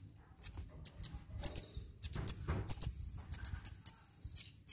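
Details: Sunbird in lively song, used as a lure and to get reluctant birds singing: scattered sharp, very high chirps, singly and in pairs, irregularly spaced through the passage, over near silence.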